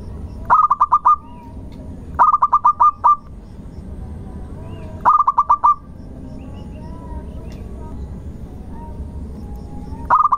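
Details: Local zebra dove singing as a lure for other birds: several phrases of quick, even coos on a steady low pitch, each ending in a held note, with quiet pauses and faint distant whistles between them.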